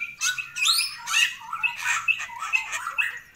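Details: Long-crested Bali myna in lively gacoran singing: loud, varied whistled and rasping notes, some sliding upward, delivered in quick uneven bursts about twice a second with short mechanical clicks between phrases.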